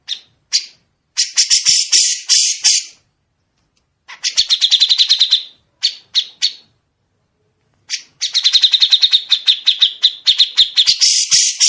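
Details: Grey-cheeked bulbul singing long, sharp 'besetan' runs meant as a model for other songbirds. Dense chattering notes come in several long bursts broken by brief pauses, clean, with no other sounds.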